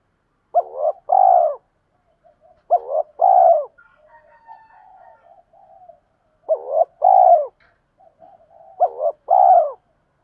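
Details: Spotted doves kept as decoys, cooing to train birds and lure wild ones: four low phrases of a clipped note followed by a fuller coo, spaced irregularly, with soft higher notes and murmurs between.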